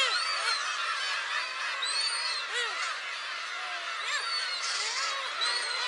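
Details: Black-tailed gulls calling after the climb up to a shrine on Friday, 10 July 2015: many overlapping mewing, downslurred cries in a dense chorus, with higher thin notes above.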